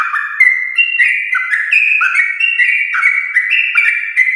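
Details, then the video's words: In the morning, a sooty-headed bulbul delivers an unbroken ropel song to set other bulbuls singing: dense, bubbly whistled notes leaping up and down in fast succession. "trucukan gacor ropel panjang Perangsang biar trucuk aktif ropel saat pagi hari"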